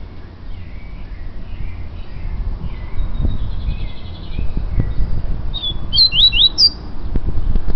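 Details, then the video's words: Yellow-bellied seedeater song: faint scattered chirps from a distance at first, then a loud, rapid phrase of high, sliding whistled notes toward the end, with low rumbling noise throughout. "COLEIRO BAIANO"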